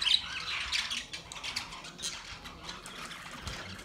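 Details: Budgerigars singing during mating: a soft, continuous chattering warble of rapid scratchy chirps and squawks, with short brighter notes near the start and steady murmuring throughout, heard indoors.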